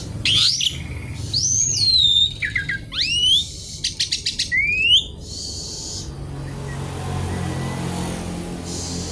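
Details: Noisy Javan pied starling in rich imitative song, seeking a challenger: swooping whistles rising and falling, a rapid string of clicking ticks, an upward sweep, then quieter hissing noise toward the end.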